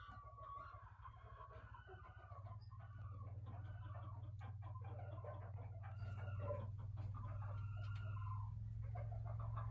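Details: Broody black Japanese bantam hen giving a continuous run of rapid, low, grumbling clucks and short harsh notes, roughly three per second, under a strong steady low hum.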